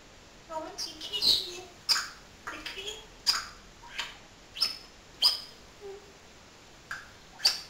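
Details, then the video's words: Pet talking parrot giving a series of short clicky, high-pitched syllables roughly every second, interspersed with small voiced murmurs, in a quiet indoor setting. "BEST TALKING PARROT IN THE WORLD"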